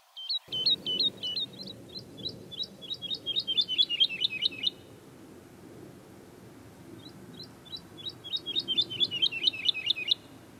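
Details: Woodlark song in Britain, a bird of southern heathland and forestry: two liquid, high phrases of repeated notes, each starting slowly and speeding into a rapid, lilting, downward trill over a faint low rumble.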